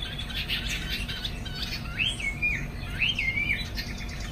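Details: Chinese hwamei kept in a cage, singing in the afternoon while flaring its wings: two clear looping whistled phrases, each rising then dipping, about a second apart, after softer chattering notes, with faint low hum behind.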